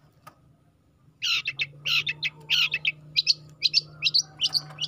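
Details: Juvenile long-tailed shrike singing after a second of quiet: rasping chattered notes at first, then sharper, higher clipped chips in a quick irregular series, with a low steady hum beneath.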